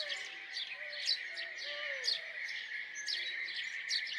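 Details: House sparrow calls: brisk high chirps about once a second, with soft, low, drawn-out whistles in the background and a steady shrill hum.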